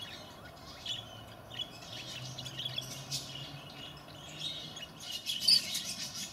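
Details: Bourke's parrot (Neopsephotus bourkii) giving soft, high chirping and twittering notes in short scattered bursts, busier near the end, over a faint low hum.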